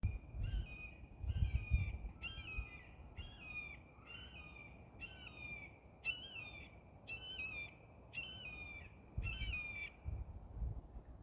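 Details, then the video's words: Red-tailed hawk in a backyard, possibly two present, gives about ten short, high, hoarse whistled notes, each rising then dropping, about once a second over low wind rumble; calling from overhead. "The beautiful sounds of Red Tail Hawks"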